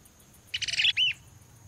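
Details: A Lesser Wagtail-Tyrant (Stigmatura napensis) at Sítio Pau Preto, Potengi, gives a quick burst of high, scratchy chattered notes, then one arched whistled note, all within about half a second, with faint background hiss.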